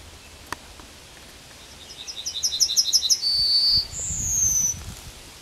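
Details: A Yellowhammer sings on the edge of Kabaty forest: a quick, high repeated series of about eight even notes swelling in loudness, then a sustained thin note and a longer, slightly falling drawn-out ending.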